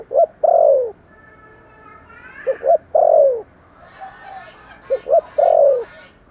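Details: Spotted dove gáy call and thúc gù cooing: three loud phrases of quick double notes and a long falling coo, separated by pauses, with a faint thin whine and soft background rustle between them.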